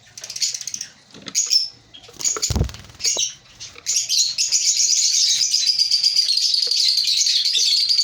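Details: Breeding colony of African lovebirds: scattered shrill chirps and squeaks with a brief low thump, then a sustained fast run of high twittering chirps from about four seconds on.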